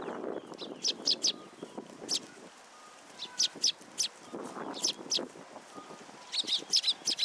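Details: Sparrows gathering at a shrine feeding platform to get food, February 2023: bursts of quick high chirps in clusters of two or three, with soft background rumble.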